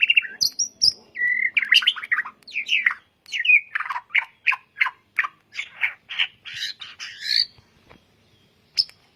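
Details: White-rumped shama song meant for training caged birds: a few whistled notes, then a long run of harsh, evenly spaced chattering bursts, fading to quiet.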